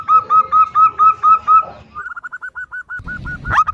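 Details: Zebra doves answering each other, a female calling to a loud-voiced local male: a steady string of clear mid-pitched notes, then a softer, faster run of clipped notes, ending in a low rumble and a sharp burst.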